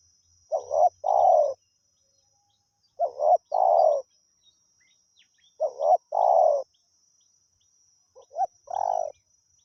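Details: Wild spotted dove cooing at a decoy: four evenly spaced phrases about every two and a half seconds, each a doubled short note followed by a longer, slightly falling husky coo, in otherwise quiet surroundings.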